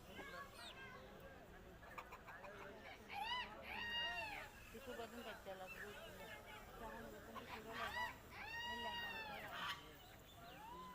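A rooster gives two harsh, arching crows about five seconds apart. Other fowl honk and cackle in a noisy yard, with faint voices.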